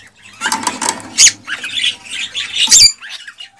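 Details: Cockatiel song meant to stimulate mating and breeding, here harsh and buzzy: rough squawking notes with a couple of sharp, higher accents over a low background hum.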